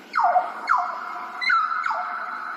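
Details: Grey butcherbird from Australia, recorded in ambisonic surround sound, giving four clear whistles, each sliding sharply downward, spaced roughly every half second.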